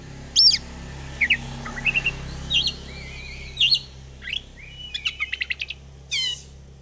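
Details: Oriental magpie-robin, a caged bird kept as a fighter, singing: scattered sharp high chirps and whistled notes with a rapid rattling series near the end; steady low hum underneath.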